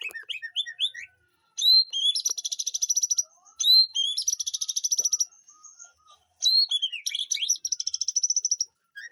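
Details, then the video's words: White-rumped shama kept in a backyard garden aviary, repeating a pattern of upswept whistles followed by a fast rattling trill of high notes, three such phrases with short pauses between. "Aviary murai batu di kebun belakang rumahku"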